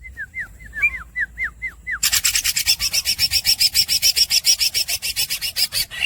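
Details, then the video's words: Greater green leafbird (green cucak) in masteran style: a run of clear, falling whistled notes, then a long, steady rasping roll of fast buzzy pulses lasting about four seconds. "The real green cucak masteran bird squeaks and long rolls"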